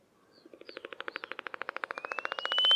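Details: Cape clapper lark aerial display early in the morning in late winter: a dry rattle of about twenty wing claps, speeding up towards the end, ending in a long thin whistle rising steadily in pitch.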